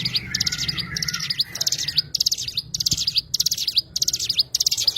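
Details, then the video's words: High, rapid chirping song of an Oriental white-eye (cigun), a steady string of bright twittering bursts; a lower sustained tone runs beneath the first two seconds, then only the song continues. "burung cigun"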